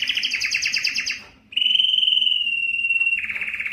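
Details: Breeding song of a canary, reportedly Belgian, sung to attract females: a fast buzzy trill, a short pause, then a long clear level whistle ending in renewed rapid trilling.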